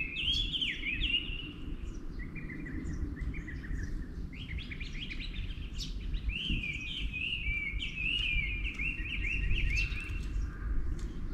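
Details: Wild birds in morning song, dated 24/05/11: a long, lively stream of fluty, sliding notes and sharp chips, mostly steady in pitch, with low background noise underneath.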